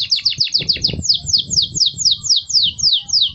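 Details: Belgian canary song for young birds in training: quick downward-slurred notes, repeated roughly every quarter second, slowing slightly toward the end, with faint low background rumble.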